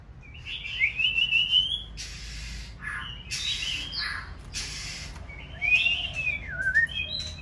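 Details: A female white-rumped shama, readied for the breeding season, sings to rouse a male: three bursts of rich slurred whistling separated by short noisy rustles and pauses, over a faint low background hum.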